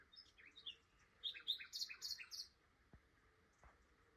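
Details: A Common Nightingale passing through on migration at Flowersbrook, Isle of Wight, in the morning sings a rich, varied phrase of sharp chirps and rapid high repeated notes, building to a loud fluttering trill, then falls quiet with faint clicks.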